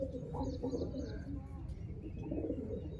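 Pigeons give low, throaty coos that overlap and roll on without pause. Faint higher chirps and a steady low rumble sit in the background.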